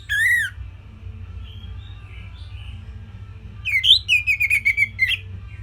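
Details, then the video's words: Orange-headed thrush, simple training song for songbirds: a single rich whistled note, then soft quiet notes, then a burst of rising whistles running into a quick series of descending chirps. "Kicauan Simpel ANIS MERAH Gampang Untuk Ditiru Sebagai Masteran"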